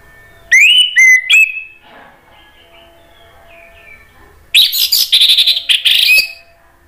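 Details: Provoking song of an Orange-headed thrush, aimed at making other thrushes sing back: three clear downslurred whistles, a pause with soft twitters, then a dense, loud run of buzzy chattering notes ending in a whistle.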